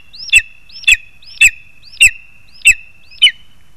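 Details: Lesser spotted eagles delivering food to the chick, 2 August 2020: six yelping notes, each opening with a brief upward slide, repeated about every 0.55 seconds, with dull thumps beneath several.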